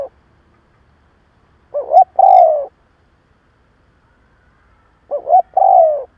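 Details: Captive lure spotted dove cooing to excite rival doves: two full phrases about three seconds apart, each two brief rising notes then a long falling coo, with a clipped tail of another at the start.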